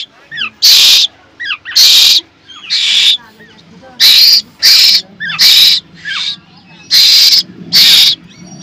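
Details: A caged Asian koel chick, very hungry and demanding food from its keeper, gives about ten harsh, hoarse screams, often in quick pairs, while a person speaks faintly in the background.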